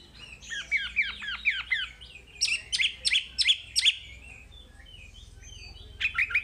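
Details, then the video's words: Wambi singing in a training recording: a run of descending slurred whistles, a burst of loud, sharp repeated notes, a pause, then a few more sharp calls. "Masteran Wambi paling istimewa full materi"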